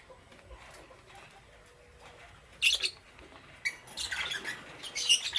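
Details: Green opaline and Parblue Euwing green opaline lovebirds chirping in the morning: quiet at first, then piercing chirps that grow into a busy, overlapping chatter of rasping notes toward the end.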